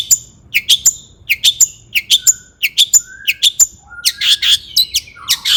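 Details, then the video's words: Long-tailed shrike singing energetically to stir other shrikes: neat repeated pairs of bright high chirps in a steady rhythm, shifting to scratchier, buzzier notes near the end. "burung cendet gacor EMOSI AMPUH untuk PANCINGAN CENDET AGAR BUNYI"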